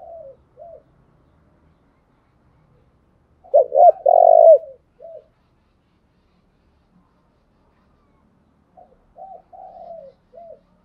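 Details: Spotted dove used as a decoy to lure wild doves, giving soft low coos in short groups, with a louder burst of rolling coos in the middle and pauses of silence between phrases.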